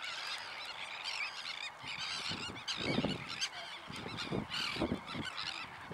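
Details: Sandwich terns calling in a noisy throng, rough arched cries stacked over one another, interrupted by deeper thuds and rumbles of background noise.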